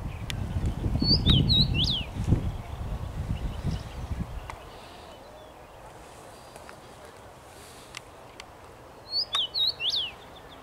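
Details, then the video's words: Common rosefinch singing from a tree, 23 May 2021; two bright whistled phrases of slurred notes, the first early and the second near the end, with heavy low rumbling noise in the first half. "Dziwonia śpiewa na drzewie"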